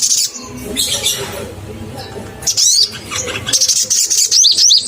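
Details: Crimson sunbird singing in full voice (gacor) as a lure to rouse other caged sunbirds: bursts of thin, very high chirps and quick up-and-down slurred notes, with a quieter gap and a low background hum.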